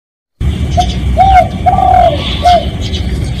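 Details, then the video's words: Spotted dove giving a real recorded lure call meant to draw in other doves: a four-note cooing phrase, short, long, long, short, each note a soft, low hoot that dips at the end, over steady low background rumble. "เสียงนกเขาใหญ่ เสียงจริง ถ่ายจิง เอามาให้ฟังกันยาวๆ เสียงเป็นเสียงต่อ"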